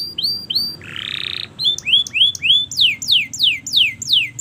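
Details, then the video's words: Canary song for training learning birds: a few high chips, a short buzzy burst, rising upswept whistles, then a series of loud descending slurred notes spaced about three per second. "Masteran Kenari Gacor Panjang‼️Cocok Untuk Pancingan Kenari Belajar Bunyi dan Macet Bunyi"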